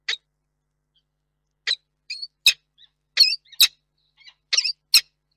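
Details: A male peregrine falcon calling for his absent mate on 21 August 2021 before entering the nest box to roost for the night gives harsh scratchy high calls in short irregular bursts, about eight in five seconds, with pauses.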